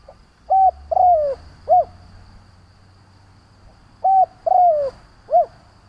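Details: Decoy spotted dove calling to draw in and provoke rival doves: two mid-pitched cooing phrases, each a short note, a longer sliding coo falling at its end, then a brief arched coo, about three seconds apart over faint background hum.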